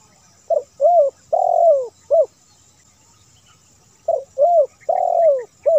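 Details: Spotted dove, clean edited recording used as a lure for doves, coos twice: a low, mellow phrase of a short coo, two longer drawn-out coos and a clipped final note, repeated after a pause, over a faint high hiss.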